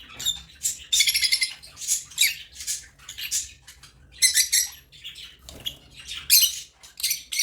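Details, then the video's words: African lovebirds chirping: bursts of harsh, high, buzzy squeaks and chatter, several per second in clusters with short pauses, little else heard. "Love birds singing and chirping sounds| African love birds chirping sound"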